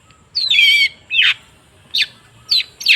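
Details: Long-tailed shrike lure sound for stirring a silent shrike into song: a harsh, buzzy downslurred squawk, then three shorter rasping notes, each about half a second apart.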